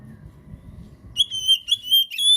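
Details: Oriental magpie-robin (kacer) master and lure song, used to prompt a caged bird that has stopped singing to start again. Low background rumble, then a run of clear, sustained whistled notes at a steady high pitch, rich in overtones.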